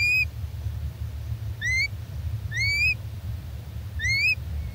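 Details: Three-day-old little owl chicks, filmed June 2024, call out for their mother: four short, rising, whistled cheeps, one every second or so, over a steady low rumble.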